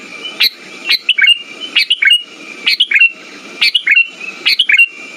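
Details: Sooty-headed bulbul (kutilang) song played to stimulate non-singing birds, with rapid bubbly whistled phrases of two or three notes, roughly once a second, over a thin constant background tone.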